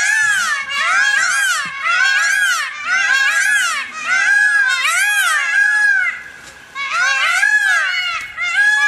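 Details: Indian peafowl giving loud, nasal, wailing calls that rise and fall, repeated in quick overlapping bursts roughly every second, several voices layered, with brief pauses near the four-second and six-second marks.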